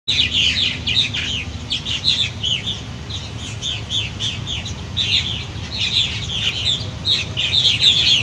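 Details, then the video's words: Purple martins, adult birds arriving at nesting gourds to call fledglings out of the nest at fledging time; many birds chatter together in a dense stream of throaty, gurgling chirps and twitters, with a low steady hum underneath. "Purple Martins Behavior at Fledging Time"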